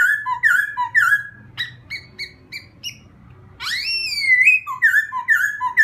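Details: Laughingthrush song used to provoke a newly caught wild bird: loud whistled phrases with rising and falling slurs, a pause, then a sweeping upward whistle followed by repeated downslurred notes.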